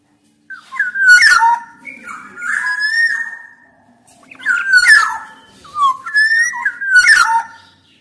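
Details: Black-naped oriole singing in a lively, prolific way: fluty whistled phrases sliding around mid pitch with harsh buzzy notes mixed in, delivered in four bursts across eight seconds, with short pauses between them and no other clear sounds.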